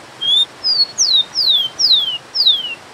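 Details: Rufous-collared sparrow (Zonotrichia capensis) song with waterfall noise behind: one flat high whistle followed by five sweet downslurred whistles, each falling in pitch, spaced about half a second apart.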